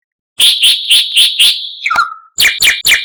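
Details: White-rumped shama masteran song, described as full of varied phrases and mimicry: five loud, buzzy high chirps about twice a second, a sharp downward whistle, then three more harsh chirps.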